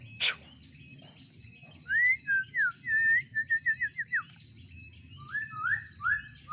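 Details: White-rumped shama in a breeding cage singing a series of clear whistled slurs, some rising and some falling, after a sharp click, with faint high chirps in the background and a low hum throughout.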